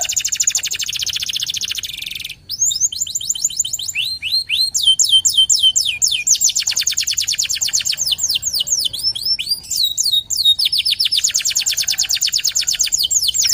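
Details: Vigorous local canary song used as a lure and tutor for other canaries: a long harsh buzzy trill, then changing tours of high sweeping whistles at about four to five per second, returning to dense buzzy rolls.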